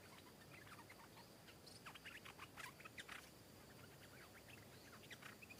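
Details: Wild stripe-throated bulbul arriving to sing back at a caged bird and come down to fight fiercely: a busy run of short, clear, bubbly notes, rising and falling, with sharp clicks and rustling among them.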